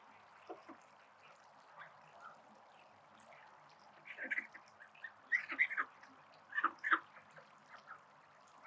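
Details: Call ducks at a spray pool, calling in bursts of loud, harsh quacks that cluster in the second half, mixed with splashing and trickling water.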